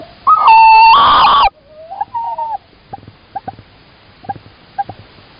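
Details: Male and female tawny owls calling and answering in Estonia, 16 March 2019: a loud, harsh tonal call with strong overtones lasting about a second, a shorter wavering note, then scattered soft knocks.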